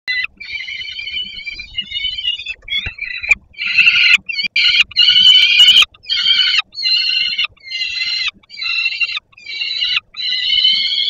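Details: Hungry young peregrine falcon begging on the landing below the nest in Poland, 10 August 2022, late afternoon, as the father arrives with food: loud, harsh, drawn-out wailing screams repeated rapidly in series, with brief gaps and some clatter.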